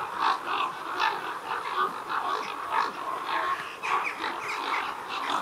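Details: Common ravens at a roost holding over 200 birds, audio boosted: a continuous overlapping chorus of many croaking and gurgling calls, a dense, steady din with no clear gaps.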